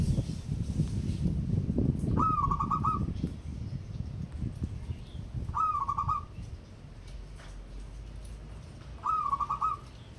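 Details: Actively singing local wild-type zebra dove repeats its cooing phrase three times, roughly every three and a half seconds: a sharp start, then a fast, trilling run of soft coos. Low, rumbling background noise throughout.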